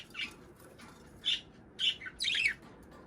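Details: Budgerigar chirps for prompting breeding; a few soft, separate whistled chirps, then a louder scratchy warbled burst near the close.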